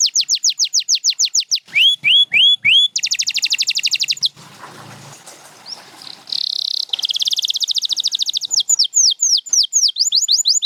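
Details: Champion canary singing, Gloster or Spanish Timbrado, for training: repeated falling whistles, rising notes, a dense fast trill, a noisy break, a buzzy note, then more trills and descending whistled phrases.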